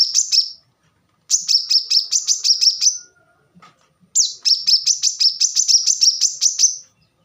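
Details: Plain-throated sunbird song given as training audio for songbirds: three bursts of quick, piercing, high chipping notes, each run lasting a second or more. Short silent gaps separate the bursts, and a faint low tone sounds briefly between them.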